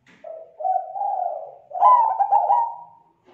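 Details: Lure call of a zebra dove used to draw in other zebra doves: a low soft coo rising into a louder, rapid stuttering trilled coo, clean and without background noise.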